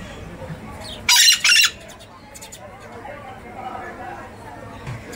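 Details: Scarlet-fronted parakeet (Psittacara wagleri) uttering two loud, grating screeches in quick succession, each under half a second, then quiet with soft background noise.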